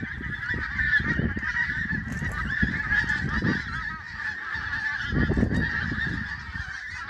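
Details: A flock of geese at sunrise, Prestatyn, gives a dense chorus of overlapping nasal honks that never pauses, with low gusty rumbles like wind beneath.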